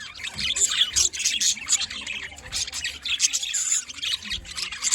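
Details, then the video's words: Busy high-pitched budgerigar chatter in the morning, with sharp tweets and squeaks in repeated bursts and brief quieter gaps. "Chirping sounds || Morning time"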